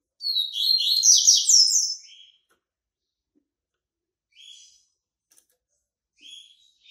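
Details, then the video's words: Yellow-bellied seedeater of the Bahian white-breasted type, coming out of moult, gives a loud, fast burst of high twittering, warbled notes lasting about two seconds, then two short, faint buzzy phrases after a pause. "COLEIRO BAIANO PEITO BRANCO SAINDO DE MUDA, CANTASSO"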